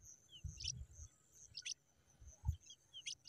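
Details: Three brief, shrill high peeps from pipit babies, spaced about a second apart, with low muffled knocks and a faint steady high hiss behind them.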